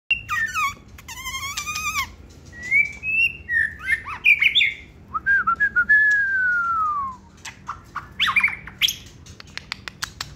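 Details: Caged white-rumped shama, a short-tailed competition bird that sings while held in the hand, delivering loud, varied whistled phrases: rapid stacked trills, then rising and falling clear whistles, a long descending slur and sharp clicks near the end.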